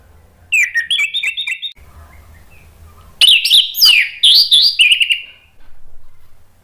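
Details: Orange-headed thrush singing hard in 'gacor' style to make other birds answer. A short run of rapid, slurred whistles comes first, then a brief gap and a longer, richer burst of tumbling, overlapping notes that tails off.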